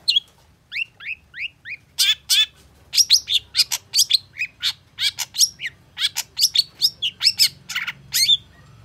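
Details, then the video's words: Long-tailed shrike singing in response to a rival: a run of rising whistled slurs followed by rapid harsh, scratchy notes packed densely, varied and mimic-like, all high-pitched with a faint low hum beneath. "KICAU CENDET GACOR EMOSI CEPAT DI RESPON PENTET LAWAN"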